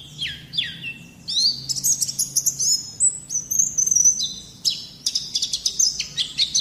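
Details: White-eye song used as a training recording to coax young birds into singing: high, thin whistled notes sliding down, then a rapid run of sharp chirps and warbled trills, fast and varied, with a faint low hum beneath.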